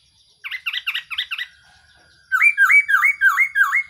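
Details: Black-throated laughingthrush decoy calling for trapping: a run of harsh, scratchy doubled notes, a brief pause, then six loud rising-and-falling whistled notes in quick, even succession.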